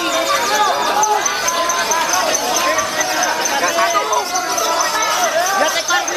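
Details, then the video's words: A lovebird chatters without pause in a dense, rapid stream of shrill squeaks and twittering notes that rise and fall, with no clear gaps. "Fightetnya Love Bird"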